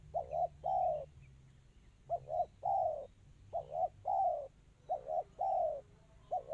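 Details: Spotted dove's rapid 'kristal' cooing: mellow low hoots grouped as a quick double note plus a longer downslurred note, the pattern repeated roughly every one and a half seconds.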